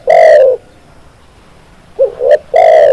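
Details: Spotted dove cooing: the loud long ending of one phrase, a quiet gap, then a complete phrase of a low rising note, a brief high note and a drawn-out full coo.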